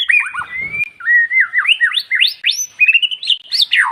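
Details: Magpie-robin (white-rumped shama) song, played to provoke quiet male birds into answering and coming into breeding condition: a rich, varied song of rapid whistled slurs, rising and falling notes, and sweet trills, with a brief low rustle near the start.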